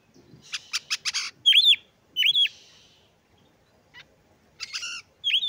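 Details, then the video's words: Oriental magpie-robin delivering provocative song to stir rivals' breeding urge, with harsh buzzy rasps, then sharp arched whistled notes spaced under a second apart, brief silence, and more rasps and a final arched whistle. "Kacer Gacor Pancing Emosi dan Dongkrak Birahi Kacer Lain Agar Lekas Gacor"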